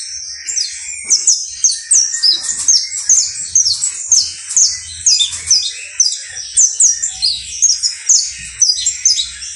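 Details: Song of a saffron finch (canario basto criollo): high, sharp downslurred notes repeated about twice a second in a steady, lively series over nearly ten seconds.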